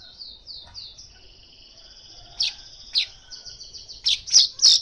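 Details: Lure recording of an Asian golden weaver: a run of short descending high whistles melting into a long steady buzzy trill, then sharp loud chips and squeaks toward the end.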